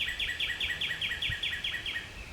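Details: A Northern Cardinal, recorded along paths at East Wind community in the eastern United States, sings a fast, even series of about eleven clear, downslurred whistles, roughly five per second, over a faint background hiss.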